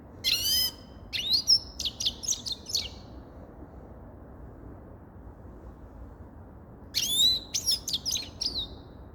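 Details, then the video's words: Grey-crowned goldfinch song in two separate bursts of rapid tinkling, high chirps and twitters with a long silent gap between them. "Sava Sayrashi Седоголовый Щегол Голоса Птиц"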